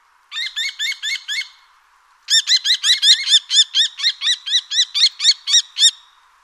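Common Kestrel giving shrill, ringing kee-kee-kee notes: a quick burst of five, a pause, then a longer run of about fourteen at roughly three per second.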